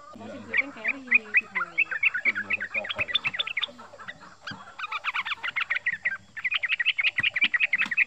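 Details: Male yellow-vented bulbul, not yet a year old, in fast 'ropel' chattering: dense strings of clipped, high chips, slightly uneven, with low human voices and laughter heard early on.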